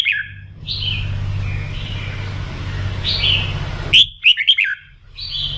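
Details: Morning voice training of a red-whiskered bulbul to rouse it for singing contests: soft buzzy warbles over a loud low hum, then around four seconds in, a sudden loud burst of quick, ringing whistles.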